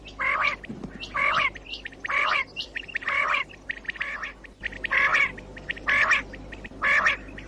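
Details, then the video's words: Common quail calling as a morning hunting lure: strong, harsh, buzzy bursts repeated regularly about once a second, with a short pause midway and light ticking notes between them. "COMMON QUAIL CALLING 2019 BATAIR KI AWAZ SUBA KI SHIKAR KI LIYE"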